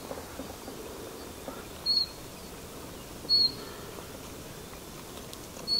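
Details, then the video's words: A common chiffchaff calls three short, high, clear notes about one to two seconds apart over a soft low background hum. "Common Chiffchaff: A Closer Look at Their Call"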